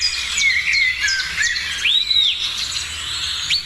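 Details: Birds singing in the morning: a clear whistled note slides downward, then a rising-and-falling arched whistle sounds near the middle, set among busy high chirps from other birds and a faint steady low hum.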